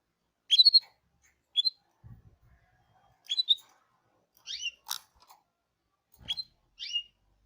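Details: Hipi-type canary tweeting: short sharp chirps sweeping between high and mid pitch, given singly or in quick pairs about every second, with a few soft low crunching or chewing-like clicks between them.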